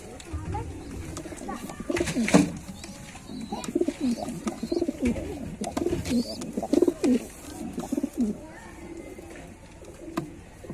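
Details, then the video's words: White pigeons cooing: low, throaty, bubbling coos in short overlapping bursts through most of the recording, several birds calling over a soft background hum. "Pigeon Sound High Quality Voice | Pigeon Sound effect | White Pigeon"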